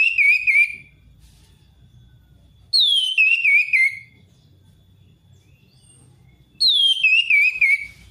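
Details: Orange-headed thrush song used to lure a reluctant thrush into singing: three loud whistled phrases, each opening with a high falling slur and running into a jumble of wavering notes, spaced roughly four seconds apart over a low hum.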